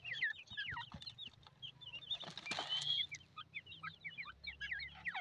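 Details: Constant overlapping chirps from grey francolin chicks, high peeps and squeaky upturned notes in quick succession, over a low steady hum, with a brief louder rustle near the middle.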